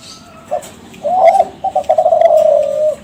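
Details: Young Kelantan zebra dove from a contest-champion line, used as a lure to make other doves call: a brief low coo, then a rolling trilled coo and a long sustained series of mellow, slightly wavering cooing notes, in a quiet room.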